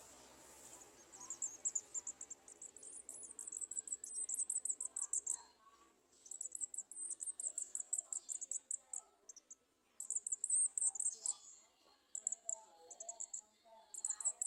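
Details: Garden sunbirds feeding their young at a nest, the young giving long bursts of rapid, thin, very high chittering notes that pause briefly and resume, with soft lower twitters in the background.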